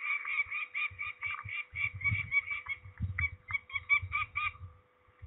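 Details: Peregrine falcon during ringing, Trzebież, Poland, 13 May 2019: a fast run of grating, cackling notes, then shorter broken calls, over deep thuds and rustling handling noise; it falls quiet at the end.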